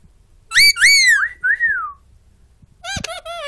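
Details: Pet bird mimicking indoors: two strong whistled upslurred-then-falling notes, two gentler descending whistles, a gap, then nasal, word-like buzzy phrases, with a person praising "good boy".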